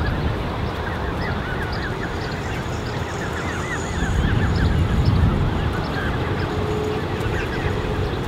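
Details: Canada goose creche of about 34 goslings gathered by two adults, recorded 13 June 2015; many overlapping soft high peeps repeat rapidly throughout over a steady low rumble of background noise.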